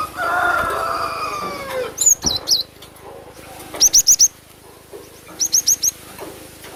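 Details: A cinereous tit lure call for attracting birds: after a low smeared sound, high swooping whistles, then two tight bursts of four sharp, very high notes separated by a short pause.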